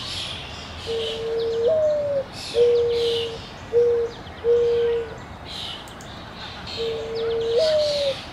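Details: A dove at Petrie Island, Ottawa, Canada, coos in low, hollow notes: a long hoot stepping up at its end, then three shorter hoots, and the long phrase again, with faint high chirps behind.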